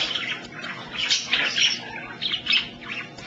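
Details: Pet African grey parrot at home repeating the word "smart" over and over in a raspy, mid-high voice, with short bursts of chatter and clicks between the words.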